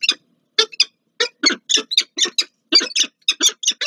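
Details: Meeting of a peregrine falcon pair at Warsaw's Palace of Culture and Science, Poland, on 30 August 2024: rapid run of harsh, rasping chattering notes, about three to four per second, with short pauses between bursts.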